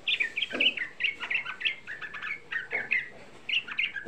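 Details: Sooty-headed bulbul, young bird, lure song meant to make other bulbuls respond: an unbroken, fast, bubbling chatter of bright, slurred notes that tumble up and down without pause.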